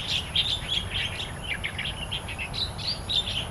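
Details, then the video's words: Starlings in the wild in Taiwan give a dense, quick chatter of high chirps and short whistled notes, several per second with no steady rhythm. Faint low hum behind them. "Kemerduan burung jalak& kapasan di alam liar"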